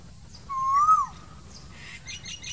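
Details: An Asian koel calling in summer from green trees: a single clear, rising whistled note lasting about half a second, followed by faint high chirps from small birds.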